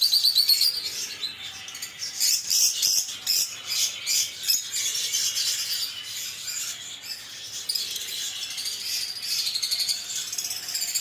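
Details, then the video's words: Lovebird chattering song: long stretch of scratchy, high squeaky chirps and raspy twitters, loud bursts early, steadier chatter later. "LoveBird Singing & Chirping Sounds"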